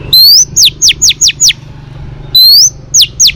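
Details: Female Oriental magpie-robin whistling to stimulate males: a rising whistle then five quick falling notes in a row. After a short pause comes another rising whistle with two falling notes.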